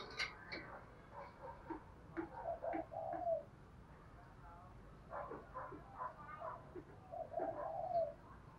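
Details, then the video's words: Spotted dove lure call in the Đồng Thổ style, calling coos with thúc and gù, aimed at attracting wild doves; two low, rolling coo phrases separated by quieter murmured coos, with frequent clicks and knocks over background rumble. "Tiếng cu gáy giọng Đồng Thổ ,Gáy gọi +Thúc/gù"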